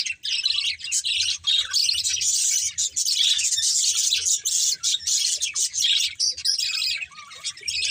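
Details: Budgie breeding pair with family, colourful birds, keeping up a continuous loud stream of high chirping and scratchy warbling, slightly fading toward the end.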